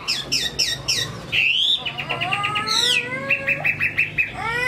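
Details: Caged Chinese hwamei from Hai Phong, Vietnam, in strong song: quick high chirps open into long sweeping whistles, then a run of even, repeated notes near the end.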